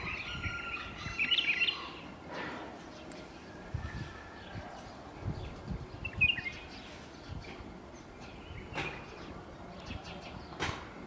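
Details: White-eared bulbul giving brief chirpy call bursts, one early and one midway, set against constant low environmental noise and scattered clicks.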